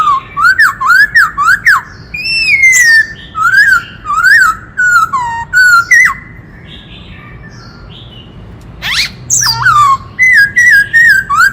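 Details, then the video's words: White-cheeked laughingthrush delivering a varied, many-voiced song meant to stir up other birds: loud whistled notes that rise and fall in quick phrases, a pause of near quiet, then a harsh burst and more repeated whistled slurs. "Khướu bạc má hót - Tiếng chim Khướu rừng hót kích trống - Chim khướu hót nhiều giọng hay"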